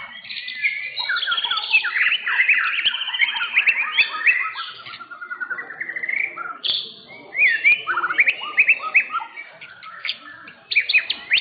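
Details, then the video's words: White-rumped shama competing in a singing contest, class murai batu, at a contest arena in Indonesia, taking first place in session seven; rich, fast, varied song of whistles, trills and sweeping notes, nearly continuous, with faint other birds behind. "MURAI BATU"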